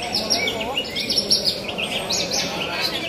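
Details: Javan bush larks at a bird-singing contest sing in a busy chorus of quick, high chirps and short rising whistles, with human voices murmuring underneath.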